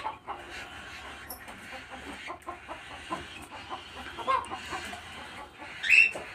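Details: Captive-bred baby cockatiel (Nymphicus hollandicus) chick gives raspy, rapid chirps in short irregular bursts, with a louder squeak near the end.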